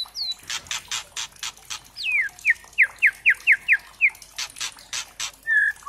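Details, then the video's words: White-rumped shama lure song to make birds sing: harsh, rattling bursts framing a quick run of eight short, downslurred whistles, about four per second, ending with a clear whistle. "suara pancingan murai trotol"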